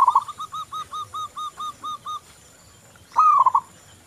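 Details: Local zebra dove, song used as a lure for other doves: a run of about ten short, evenly spaced soft cooing notes, then a pause and one loud warbling stuttered coo.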